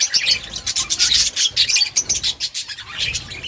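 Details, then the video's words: Budgerigars in an outdoor breeding colony, a dense chorus of high, scratchy chirps and warbles overlapping continuously with rasping, chattering bursts. "Budgies chirping sounds in outdoor colony"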